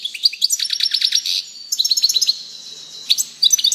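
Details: European goldfinch twittering in quick bright phrases, with a brief lull in the middle before fast chirping resumes and runs to the end.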